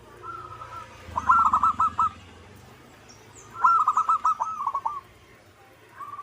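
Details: Local zebra dove giving two stuttering cooing phrases a couple of seconds apart, each a rapid run of short level notes, with a low rumbling background and faint high chirps from other birds.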